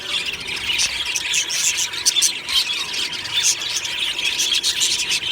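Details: Budgerigar colony in an aviary on a happy morning: dense high chirping and warbling from many birds at once, with squeaky notes and brief sharp squeals over a steady faint hum.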